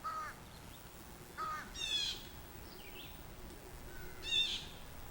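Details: A male American crow, likely perched right above the camera in a backyard, gives a few harsh, nasal caws spaced a couple of seconds apart over steady hiss; a fledgling crow gives shorter, softer notes between them. The crows seem excited about something.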